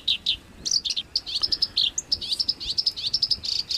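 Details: Songbird harsh-style 'tembakan kasar' masteran song, made for training pet and contest birds: rapid high chirps run into a steady string of sharp repeated notes, closing with a buzzy burst.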